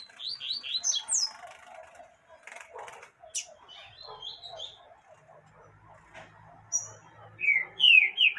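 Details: A female yellow-bellied seedeater calls to excite a male. A short run of high, falling chirps opens and a loud cluster of descending notes closes, with soft muffled chatter and low rumbling between them.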